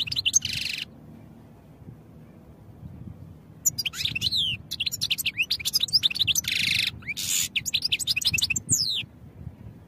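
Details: European goldfinch singing for training, a rapid tinkling twitter of sharp slurred notes broken by harsh nasal buzzes, with brief pauses between phrases over a faint low rumble.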